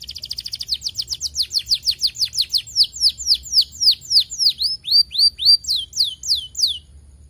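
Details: Canary song used to stimulate other lazy canaries to sing: a long rapid series of bright downward-sweeping notes, fast at first, slowing into spaced, louder rising and falling whistles over about seven seconds, with faint low background hum.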